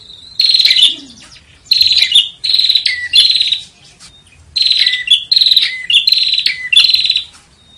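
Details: Buzzy, rasping phrases with dipping whistled notes, given in bursts separated by short pauses, from a bar-winged prinia master recording for training competition songbirds.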